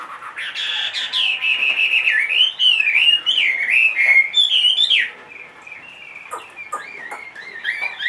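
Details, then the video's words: Large-bodied caged Chinese hwamei aged two and a half singing a long flowing chain of wavering whistled phrases for five seconds, then quieter short rising notes. "HM 450 hót mọi địa hình"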